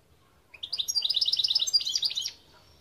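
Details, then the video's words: European goldfinch singing a quick run of high, bright twittering notes, starting low and rising into a steady rapid trill that ends in a few buzzy, slurred notes. "Chant Chardonneret"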